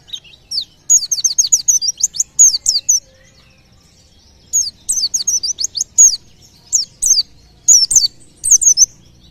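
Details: Pleci, a white-eye whose voice is believed to provoke nearby birds to sing, delivers rapid strings of high, slurred falling notes in two long bursts, then shorter spaced phrases, against near silence.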